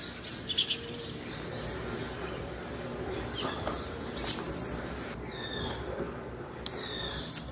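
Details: Calls of a female blue-black grassquit, given to stimulate males: brief piercing high chirps recurring every few seconds, some trailed by a fine descending whistle, with faint hiss behind.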